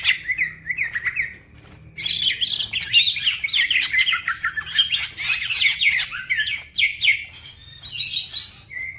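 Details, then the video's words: Green leafbird (cucak ijo) in fast, full gacor song meant as masteran, with other birds also singing. Dense, varied chattering warbles of slurred whistles and sharp chirps come in long bursts separated by brief gaps. "The green cucak bird makes noise, other birds also become gacor"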